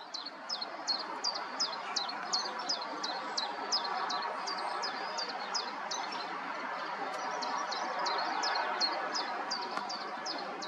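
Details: Common chiffchaff singing from an aerial at Summerleaze: steady repeated high chiff-chaff notes, each a sharp downward-slurred chip, delivered about three per second in a long even series over a broad background hiss.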